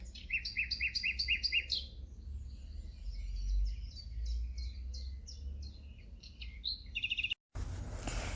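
A nightingale sings a fast run of sharp repeated notes, then shifts into varied chirps and whistled phrases over a low rumble, ending in a brief cut and hiss.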